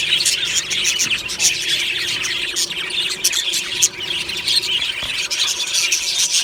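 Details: A morning budgie colony in an aviary, happily singing and chirping: overlapping warbles, sharp chirps and squeaky notes from many birds run without a break, with brief dips in loudness.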